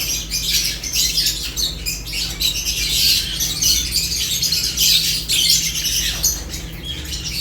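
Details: Lovebirds feeding and calling: irregular, fast bursts of shrill, squeaky chirps from several birds, nearly unbroken, over a steady low-pitched hum.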